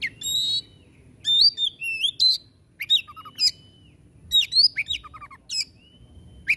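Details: White-rumped shama (kacer) singing vigorously to prompt quiet birds into song: harsh rasping bursts mixed with sharp rising whistles, short trills and low soft notes in irregular phrases.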